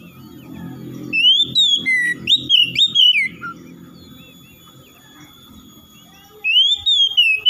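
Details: Oriental magpie-robin (kacer) singing to stir a lazy bird into full song: clear looping whistles for two seconds over low rumbling background noise, a quiet stretch, then the whistling resumes.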